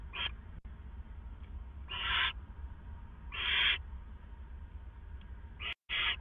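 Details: Pre-dawn owl sounds at the Hideout, where two owls stay, 4:49 AM, April 27, 2014. Irregular raspy, hissing screeches, some short and some longer, are spaced unevenly over a steady low hum, with a brief dropout near the end.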